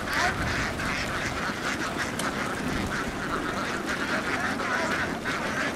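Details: Many Vietnamese laying ducks running over a field and boarding a boat, quacking together in a dense, rough, steady chatter for the whole stretch.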